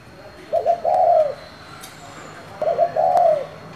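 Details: Spotted dove singing in the 'giọng thổ' voice to stir up other doves: two phrases, each a quick broken double coo then a long mellow slurred coo, with quiet steady background hum.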